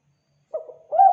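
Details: Spotted dove (tekukur) lure call: after half a second of silence, a short low coo, then a louder, steadier, slightly rising coo note, both clear with no background sound.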